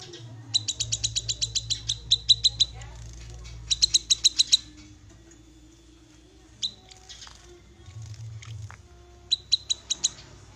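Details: Black-capped babbler (cucak kinoi), an untrained bird, giving fast series of bright, high-pitched chipping notes in two long bouts, then a brief burst near the end, over low steady hum.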